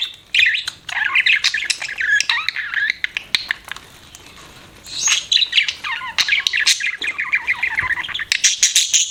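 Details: Pet budgerigars chirping: dense, continuous warbling chatter of quick rising and falling notes, with sharp clicks and brief squawks between bursts and short pauses.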